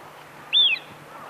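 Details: A single clear whistle from a Eurasian wigeon, a winter visitor, rising briefly then sliding down, high-pitched and about a quarter second long over a faint low hum.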